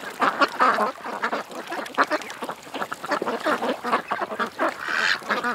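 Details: Ducks quack at a creek in a steady stream of overlapping nasal calls. A drawn-out louder call closes the sequence.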